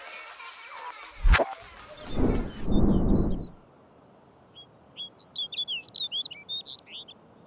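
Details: A snow bunting sings a brisk, bright warble of about a dozen quick chirping notes, after some loud low thumps and rumbling noise.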